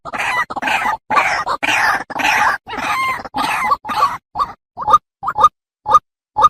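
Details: White-breasted waterhen, a female calling to the male, used as a lure: loud harsh grating phrases run together, then thinning into separate short nasal notes about twice per second.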